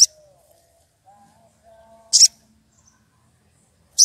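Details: Rufous piculet from the wild, agitated and calling out a rival: three piercing, very high squeaks about two seconds apart, with a faint low whistle in between.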